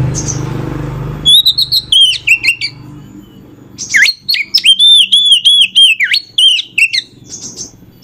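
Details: Oriental magpie-robin lure song meant to stir other magpie-robins, two loud bursts of fast, varied whistles with dipping slurs and sharp chips, separated by a quieter pause.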